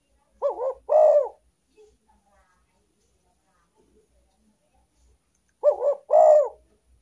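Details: Spotted dove call played as a lure for wild doves: a deep, hollow double coo phrase given twice, separated by a few seconds of near silence with faint background noises.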